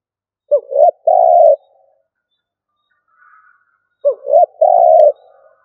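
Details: Decoy spotted dove in stuttering coo style: two phrases, each a quick upward-bending double note followed by a long steady coo, about three and a half seconds apart.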